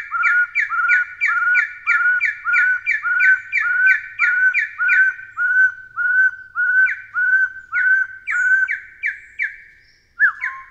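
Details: Taiwan Partridge of dense low to mid-altitude mountain forest and undergrowth calling: a loud run of clear, rising two-part whistled notes, nearly two per second, steady at first, then breaking into spaced, shifting phrases near the end.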